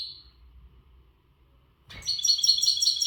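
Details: Untutored western European goldfinch in breeding-readiness condition, singing powerfully: a brief high note, a pause of over a second, then a dense run of rapid, high, tinkling twitters that continues to the end.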